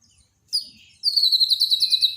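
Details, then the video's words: Daily master song of a Borneo white-rumped shama, meant to restart a bird that went quiet: one sharp high note, a pause, then a very high, fast, pulsing trill held for about a second. "borneo dokter burung murai mandek (Masteran harian)"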